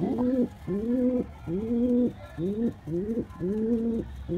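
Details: Male pigeon cooing to a female in courtship: low, rolling coos with a rising then level tone, each about half a second long and repeated in a steady run with brief gaps between them.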